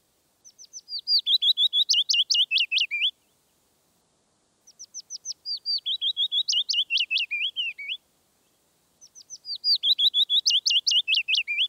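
Willow warbler song: three sweet, liquid phrases of soft notes cascading down the scale, each about three seconds long and separated by short pauses.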